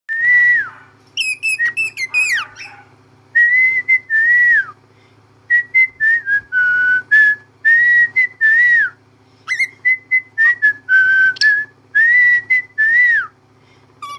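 A cockatiel whistles a string of clear, bending notes, broken by a few quick chirps.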